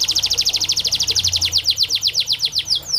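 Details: Canary song meant to coax lazy singers: a long, fast series of sharply descending high notes that slows slightly toward the end, with a faint low hum in the background.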